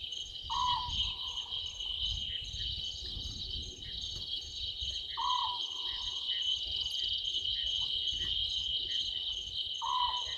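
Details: Small owlet calling from a tree at night, 00:38 on 11/12/2023, at Gowrie dam waterhole, Djuma Game Reserve, Sabi Sand Wildtuin, South Africa: short, slightly rising whistled notes about every four and a half seconds over a dense, steady cricket chorus.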